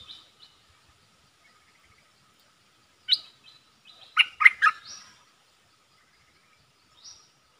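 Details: Caged bulbul in a singing duel with wild birds, recorded 3 October 2021: short bright chirped notes, then a loud burst of clipped, warbling phrases around the middle, with a faint rising whistle near the end; quiet between phrases.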